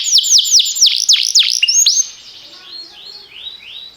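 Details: Canary singing for training: about eight loud downward-sweeping whistles in quick succession, then softer, fainter arched notes trailing off.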